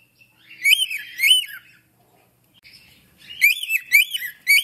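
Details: African grey parrot gives two rich, bending, speech-like squawks, pauses, then a quick run of three or four more; nothing else is heard.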